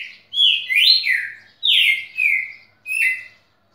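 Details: Tutor red-cowled cardinal singing three short whistled phrases, each a pair of slurred notes, one rising then falling, separated by brief pauses.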